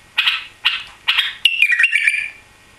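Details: Newly arrived captive white-eared bulbul, tail lost during travel to Europe, gives three short harsh chattering bursts, then a bright whistled phrase that steps downward in quick liquid notes.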